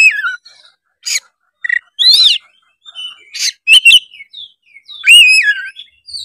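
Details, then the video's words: Competition-ready white-rumped shama singing bright whistled phrases that dip and rise, mixed with short rasping bursts and crisp chips, loud and varied with clear pauses between phrases. "suara kacer gacor full narung"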